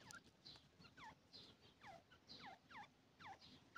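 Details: Grey francolin, called teetar, calling: a series of sharp descending whistled notes sliding down, repeated roughly twice per second, with a faint background hiss.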